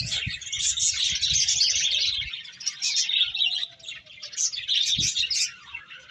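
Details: Eating finches keep up a busy flock chatter of sharp, high chirps, fading slightly in the middle before swelling again, with occasional low knocks.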